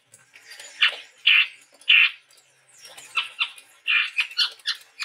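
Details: Singing male chestnut-rumped babbler from the forests of Sumatra utters rough, grating squawks, three loud spaced notes, then a faster jumble of scratchy chattering calls.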